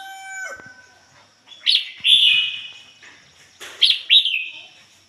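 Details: Red-whiskered bulbul decoy bird singing in the ngoi bổi style: two bright warbled phrases, each a sharp high onset sliding into a rich descending trill, about two seconds apart, after a brief steady harmonic tone at the start.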